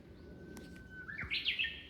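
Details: Japanese bush warbler singing at Zuisen-ji temple in Kamakura, Japan: a long, steady whistled note rises into a quick, bright, warbled flourish, all heard over low background rumble.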